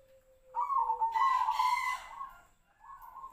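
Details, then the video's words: Zebra dove of the Tejoanom style: a faint, low, sliding tone, then one rich rolling, trilled coo lasting about one and a half seconds, with a short quieter note after it and some broad rustling. "PERKUTUT TEJOANOM|| SUARA SEPERTI BURUNG SIRTU-SIRPO"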